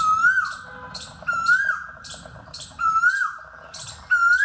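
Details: On an early spring morning at a wetland near Gurugram, India, an Asian koel hidden in treetop foliage gives loud, clear whistled notes that rise sharply, repeated about every one and a half seconds, over a faint steady background tone.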